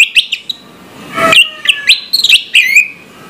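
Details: Orange-headed thrush in the morning, uttering scattered bright whistled notes and short slurred chirps, interrupted by a quick noisy burst.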